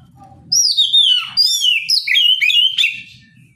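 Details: Oriental magpie-robin in loud open morning song meant to draw a response from rivals. Several sweet, downward-sliding whistles and quick chirped notes come in a dense phrase over faint low background noise.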